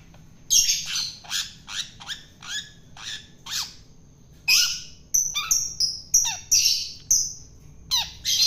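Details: Long-tailed shrike from the wild, being fed so it becomes tame, calling in a steady series of descending scratchy chips, then quicker buzzy notes.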